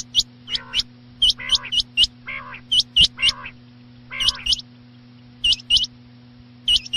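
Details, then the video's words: Quail calling at night, loud sharp whistled notes in quick pairs and triplets repeated roughly every second, alternating with lower nasal harmonic notes, over a steady low electrical hum. "batair chinag ki max awaz raat ke laiy"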